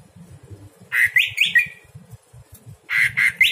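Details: Greater green leafbird at night, recorded as a model for other birds: harsh, squawky rising notes in two short groups, set against a persistent low throbbing background.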